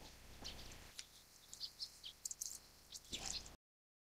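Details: Grey treepie (Dendrocitta formosae formosae) giving a quick run of sharp, high, squeaky chirps, irregularly spaced over about three seconds, over a soft background hiss.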